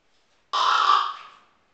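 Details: A captive raven has learned to copy an old Tibetan Mastiff's human-like snore. Here it gives a single harsh, noisy exhalation of about one second that fades gradually, in a quiet room.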